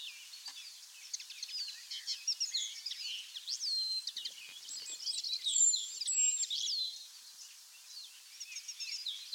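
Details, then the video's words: Linnet song from a southwest UK wood: rapid varied twitters mixed with clear whistled slurs, a few sweeping up-and-down notes standing out mid-phrase, the chatter carrying on steadily throughout with soft ambient noise behind. "The Linnet Song | Carduelis cannabina"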